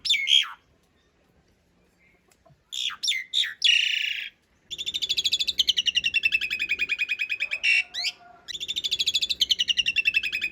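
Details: Long rolling song of an Asian pied starling, recorded as training material for cage birds: a few harsh whistles, then an extended rapid buzzy rattle of repeated notes, briefly broken and resumed.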